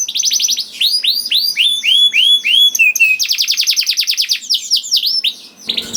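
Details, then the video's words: Song of a young canary, played to stimulate other canaries to sing: looping upward-curving whistles, then a dense rapid trill of short notes, closing with a few sweeping calls and a brief scrape of noise. "PANCINGAN KENARI PAUD TERBUKTI AMPUH MEMANCING KENARI SUSAH BUNYI IKUT GACOR #244 || VOICE OF CANARY"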